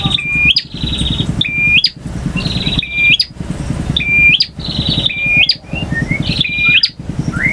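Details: Singing male bar-winged prinia in full-variation ngotot, ngalun and kristal style: a level whistle ending in a quick upward flick, then a buzzy trill. The phrases recur about every 1.3 seconds, with a faint low hum beneath.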